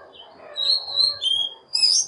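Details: Oriental magpie-robin lure song meant to draw in wild birds and prompt singing: a few brief, clear whistled notes, one sliding slightly downward, ending in a higher, sharper phrase.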